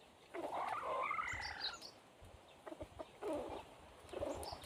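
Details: Red junglefowl decoy bird crowing to lure wild junglefowl: a rough, drawn-out crow-like call of about a second and a half over steady background hiss, followed by two shorter, fainter calls later on.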